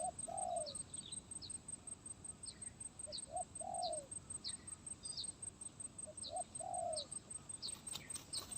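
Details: Spotted dove, far off, singing 'gagap tindan' (sepatah) style on 23 January 2022: three quiet phrases, each two short notes and a falling coo, amid constant hiss and frequent high chirps from other birds.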